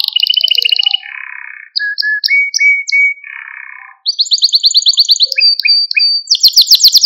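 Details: Canary training song for exciting young canaries: pulsed trills, then low harsh rattling tours and short whistled notes, before a bright high rapid trill and fast chopped phrases.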